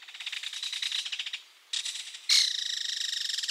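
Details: Belted Kingfisher, apparently approaching along a watercourse, gives a loud, dry, clattering rattle of rapid harsh clicks in three bursts, the last the loudest, with no other sounds.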